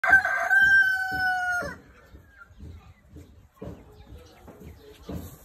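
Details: Chicken in the morning giving a harmonic crow lasting under two seconds that ends in a sharp upward flick. Soft, low clucks follow about every half second, with a faint hiss near the end.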